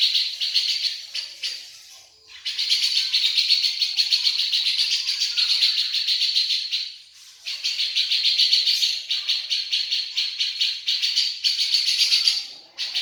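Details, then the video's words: Grey-cheeked bulbul of a local strain in full song, mixing in sparrow-style chatter: fast, rattling, buzzy high bursts strung into long runs several seconds each, separated by short pauses. "Cucak jenggot lokal Gacor Isian GEREJA"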